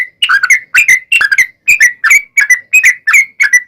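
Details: Trucukan song used as a lure for other birds: bubbly two-part whistled phrases, each a lower dip followed by a higher note, repeated in quick succession.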